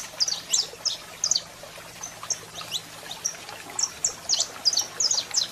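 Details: Saffron finch, male singing with a female calling: scattered high, thin chirps and quick slurred notes in loose bursts, softer than the surrounding songs, over a faint low hum.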